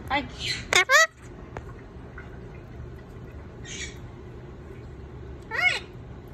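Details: Indian ringneck parakeet at lunch time; two loud, harsh squawks with rising strokes just after the start and another near the end, with softer voice-like sounds and steady indoor room noise between.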